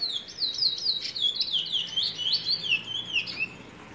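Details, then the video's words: Cumuto, the Trinidad bullfinch, delivering a rapid run of high bright whistled slurs, each note sweeping down, repeated steadily for nearly four seconds. "Cumuto (trinidad bullfinch)"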